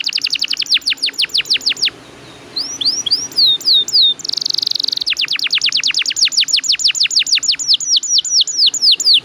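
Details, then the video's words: Atlantic canary delivering a rolling lure song: a fast string of high descending notes, a brief pause, a few slurred whistles and a buzzy burst, then another long run of quick repeated notes. "PANCINGAN KENARI GACOR NGEROLL PANJANG"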